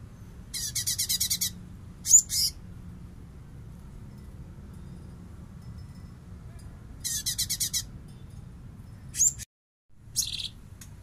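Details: Light-vented bulbul song used as a master recording for training songbirds, in a full 'bessetan' style: two bursts of fast, buzzy, rattling trills, with a few sharp high chirps between them and a soft low hum underneath.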